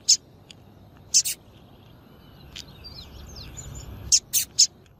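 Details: Short shrill chirps from a female double-collared seedeater, used to excite competition males, given singly and in quick pairs, with faint thin whistles of other birds in the middle.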